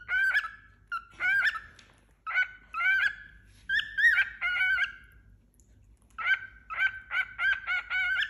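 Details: Young cockatiel, a tame male about four months old, newly brought in as companion to another cockatiel: bright whistled chirps with stacked harmonics, given in short bursts, then a run of quick repeated chirps near the end.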